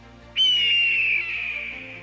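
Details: A single drawn-out, hoarse Red-tailed Hawk scream, high and piercing, slurring gently downward for well over a second before fading; this call is often used in movies to make eagles sound cooler.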